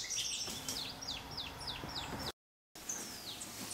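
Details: Red-faced Spinetail (Cranioleuca e. erythrops) at Sachatamia Lodge, Ecuador, in May 2012: a quick series of thin, high, down-slurred notes, about three per second, then a longer falling note after a brief break; faint background hiss.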